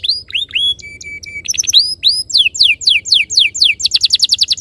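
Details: Canary song played as a lure so caged canaries start singing: varied hooked whistles, steady flat tones, rising sweeps, then descending slurred notes quickening into a rapid roll.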